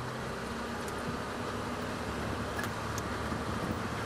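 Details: A vehicle engine hums steadily at sunrise on safari, a broad even rumble with no clear animal call.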